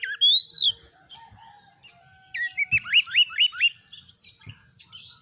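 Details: Caged oriental magpie-robin in gacor full song, kept to test other birds' mettle and build fighting spirit: a loud upslurred whistle, then a rapid series of hooked, rising whistled notes with scattered clicks.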